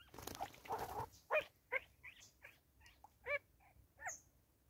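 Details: Grey go-away-bird in South Africa, 2024, calling during bonding: a loose series of short, nasal, harmonic notes at irregular intervals, after a rough, noisy opening, with a thin high chirp near the end.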